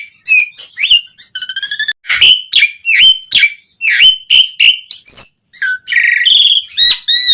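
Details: Asian pied starling in vigorous song, offered as a lure to prompt starlings to sing. Crisp whistled notes and upslurs are interspersed with stuttering chatter and a sustained clear whistle, all delivered in quick succession.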